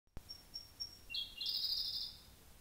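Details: Siberian blue robin singing at Hotchi, South Karuizawa, Japan, 3 pm on 17 June 2018: three thin, high, evenly spaced ticking notes, then a loud, fast, rattling trill lasting over a second, with faint hiss.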